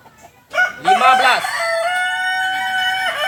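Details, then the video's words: Native Kokok Balenggek rooster of Solok, West Sumatra, giving one strong crow: a few quick broken opening syllables, then a long, steady, drawn-out final note held for nearly two seconds. "Ayam kukuak balenggek"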